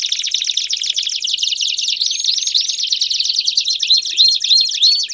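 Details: A Belgian canary singing at full power produces a thick, continuous high trill. Looping rising whistles cut through it, first a few early, then a run of them near the end.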